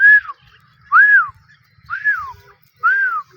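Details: Female grey francolin giving clear arched whistles, rising then falling, repeated about once a second, four in a row, over faint low rumble.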